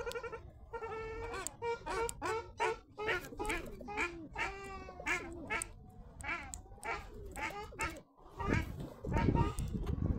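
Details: A ruddy shelduck, while eating, gives a quick run of loud, nasal honks, some rising and bending, with rustling noise near the end.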